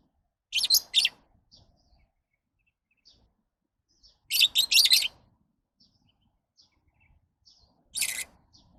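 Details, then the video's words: Lovebirds giving harsh, high-pitched squeaky chirps in clustered bursts, two or three notes each, spaced several seconds apart, with soft faint ticks in the gaps. "Love birds Sounds"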